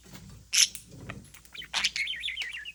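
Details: On July 4 a parrot at play lets out a loud sudden squawk, a few soft chirps, then a burst of harsh notes running into a bright warbling trill, with steady background noise throughout.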